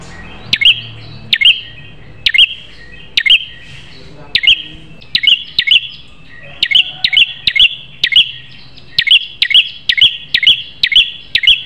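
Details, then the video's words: Prinia, a fierce sharp-voiced bird in a tutor recording used to train captive prinias as fighters: sharp, high chirping notes, mostly single or paired, repeated steadily about once a second with short gaps, over faint background hiss. "Masteran Prenjak Terganas Suara Pedas"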